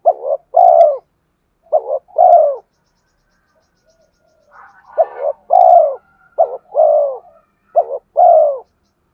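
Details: A spotted dove sings to attract wild birds, giving about five phrases of a short doubled coo and then a longer falling coo, with a pause in the middle and faint soft notes.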